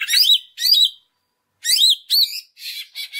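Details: Greater green leafbird, a lure recording to encourage other leafbirds to sing their repertoire: two pairs of bright slurred chirps separated by silence, followed by short buzzy notes.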